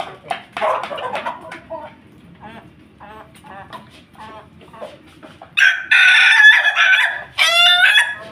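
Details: Ayam Ketawa chicken kept with a family of Pelung Bangkok chickens; a run of short, clipped, stuttering syllables like broken laughter, then two long, loud, harsh crows near the end.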